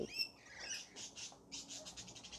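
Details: Rainbow lorikeets at feeding time in a frenzy, opening with a few high thin whistled notes, then a run of harsh buzzy screeches repeating several times a second.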